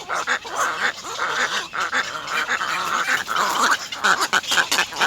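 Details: Three little egret chicks in a nest beg from their mother, biting her to be fed, with harsh, rapid, overlapping chatter, a nearly unbroken run of raspy notes that swell and fade in short bursts.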